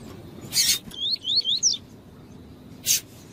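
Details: Double-collared seedeater, tui-tui type, with a female calling to excite the male: a short series of high rising whistled slurs lasting under a second, framed by loud sharp broadband clicks.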